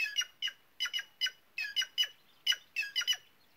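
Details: White-naped jay, typical of the semi-arid caatinga of northeastern Brazil, uttering a fast series of loud raspy squawks, often in pairs, in close succession.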